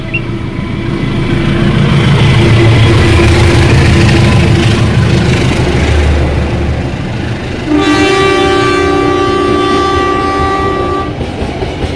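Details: A train rumbles past with heavy low-pitched rolling noise, then a long steady horn blast sounds from about eight to eleven seconds; no animal is heard.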